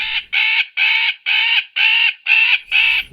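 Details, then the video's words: A magpie gives an alarm or distress call: a harsh, grating chatter of seven rasping bursts, about two per second. "the first example is an alarm or distress call produced by a magpie bird"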